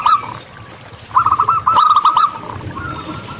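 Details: Local wild zebra dove giving one brief burst of quick, clipped coo notes over a hissy background, with a fainter note at the start and at the end.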